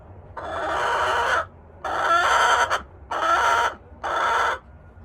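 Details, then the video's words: A Buff Orpington chicken gives four loud, harsh, drawn-out squawks, each about a second long, separated by short pauses. "Funny chicken noises"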